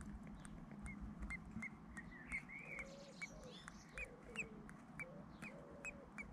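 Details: Common blackbird nestlings, hatched three to four days earlier, in a UK nest while both parents feed them and remove waste; short high thin chirps repeated steadily, some rising, with a low rumbling background.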